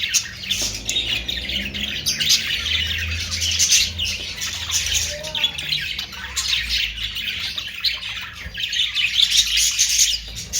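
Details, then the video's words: Budgerigars produce steady high chattering, with rasping warbles and chirps overlapping for the whole stretch and a few short sharper squawks, over a faint low hum. "Austrailian perrot sound"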